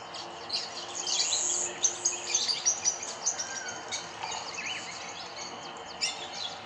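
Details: Rosy-faced lovebirds, apparently escaped aviary birds now resident, feeding in trees at Kyalami, Midrand, Johannesburg, South Africa; shrill, high chirps and squeaks come in uneven bursts, with a louder cluster near the start and scattered notes later.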